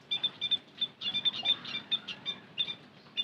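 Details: Lure call of the white-headed munia, a busy run of high, thin, clipped chirps, several overlapping and coming in quick bursts, over a soft background hiss.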